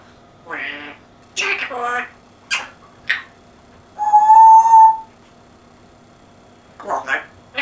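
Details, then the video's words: African grey parrot speaking with an English accent: short spoken-sounding phrases with clicks, one long steady pure whistle held for about a second, then more brief words. "English Accent African Grey. Amazing voice!"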